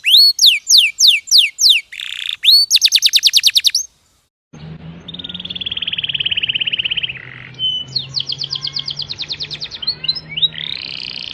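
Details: Canary song starting with high, falling trilled notes, then a steadier buzzy trill and higher rolls, over a low background hum in the second half.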